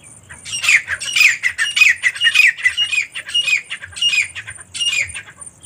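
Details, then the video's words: Female partridge (teetar) calling: harsh, squawky bursts repeated in a rapid, uneven series, nearly two per second, with a faint steady high whine in the background. "teetar ki awaaz & teetar female sound"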